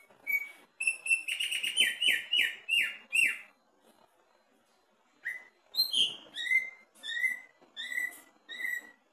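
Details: Greater green leafbird in a cage, singing during a test at the cage bottom: a quick series of about eight downslurred whistles, a pause of nearly two seconds, then a second run of ringing, repeated whistled notes.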